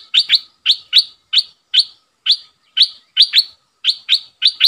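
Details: A Red-eyed bulbul decoy bird calls at wild birds, giving sharp, bright, upward-sweeping chirps, often in quick pairs, repeated about twice a second against a quiet background.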